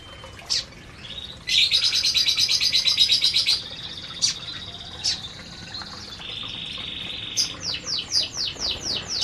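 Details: Several canaries eating in an aviary; a rapid, buzzy high trill lasting about two seconds, scattered sharp chips, a steady whistled tone, then a quick run of about eight descending sweeps.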